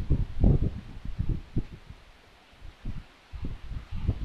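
No animal voice; only low rustling and soft irregular thumps, with brief quiet gaps.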